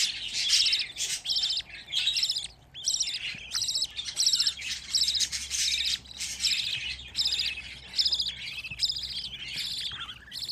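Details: A crowd of fifteen caged budgerigar chicks keeps up continuous high, raspy chirping. The calls overlap in irregular bursts, with a short rising note just before the end.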